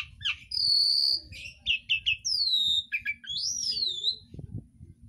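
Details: Mimicking Asian pied starling, its song borrowing phrases from green leafbird, magpie-robin, Pacific swallow and sooty-headed bulbul, played to train pet birds: a sustained high whistle, quick clipped chirps, then long sweeping whistled slides with a soft low rumble beneath.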